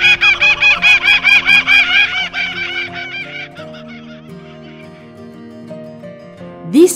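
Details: Laughing Kookaburra in the Australian outback giving its territorial laugh: a fast burst of loud, harsh, ringing notes, about two a second, fading into a musical score.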